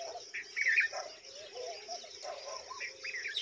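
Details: Red-vented bulbul at the nest feeding a huge mantis to its young; a loud sharp chirp near the start, then softer twittering notes, with a steady hum underneath.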